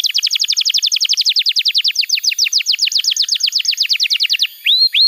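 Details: Actively singing canary, tutor material for young birds: a long run of quick, evenly spaced downward-sweeping notes, about seven per second, ending in two short rising whistles.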